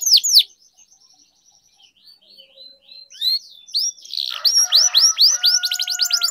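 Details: Canary lure song to encourage silent canaries to sing: soft scattered chirps build into loud falling whistles and fast trills, with a faint steady tonal note beneath.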